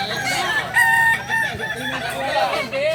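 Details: Kokok balenggek roosters practising crowing together in Solok; held tonal crow notes broken into steps, overlapping calls from several birds, with background voices and clucks throughout.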